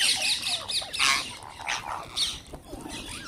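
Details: Wild green parrots at feeding time giving loud, high, harsh squawks and rapid wavering screeches from several birds at once, some calls overlapping.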